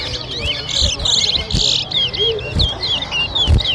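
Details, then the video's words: Towa towa bird in a 2023 Arrival Day whistling contest in Diamond, Guyana: buzzy and whistled notes alternate in quick repeated phrases, with people talking and occasional knocks. "TOWA TOWA BIRD WHISTLING COMPETITION"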